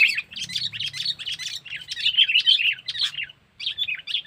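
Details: Lure call ('pikat cengkeram') of a sooty-headed bulbul, meant to attract wild birds: rapid, scratchy chirping notes packed closely together, a short gap near three and a half seconds, then more chattering.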